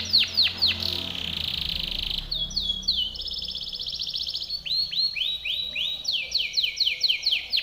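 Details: Timbrado canary performing its powerful training song: steep descending whistled sweeps, a sustained flat whistle, then rolling trills and a run of repeated downward-swooping notes, loud and clear.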